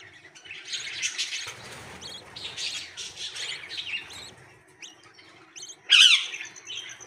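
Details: Hungry nestlings trying to come out of the nest beg with a busy, overlapping chorus of high, thin chirps and wheezy squeaks, ending in one louder, sharper burst of calls near the end.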